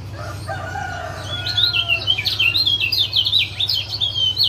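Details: Caged-bird lure of a male Lombok lemon-bellied white-eye meant to make a quiet male sing: a faint lower whistle, then quick high chirps strung tightly together over a steady low hum.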